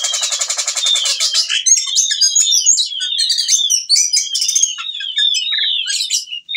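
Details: Whistling thrush in breeding condition calling a female, used to coax birds after moulting: a quick buzzy rattle, then a continuous stream of bright whistled slurs and twittering notes.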